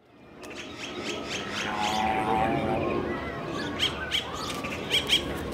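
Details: A 65-day-old captive Dalmatian pelican chick grunts and groans while eating: a rough, broadband rasping swell over the first three seconds, then short squawky bursts near the end, over steady background noise.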